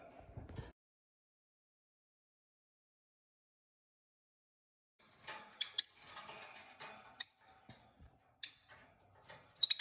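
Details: A pet rosy-faced lovebird, one of a newly acquired pair, gives sharp, high squeaky chirps in short bursts about every second or so, after a few quiet seconds of near silence.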